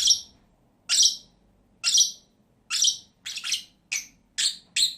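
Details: A pair of caged pet lovebirds gives loud, penetrating shrieks about once a second, some notes doubled, each short and very high-pitched in a quiet room.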